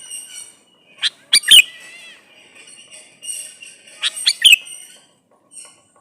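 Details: Male sooty-headed bulbul calling to a female, used as a lure so other bulbuls reply; two clusters of quick, bright, bubbly notes about three seconds apart, with faint chirping in the background.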